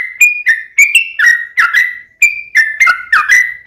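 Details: Sooty-headed bulbul singing in a lively fighting style with continuous rapid runs, used to prompt another bird to answer: short clear whistled notes with brief rising and falling slurs, given in quick bursts with tiny gaps.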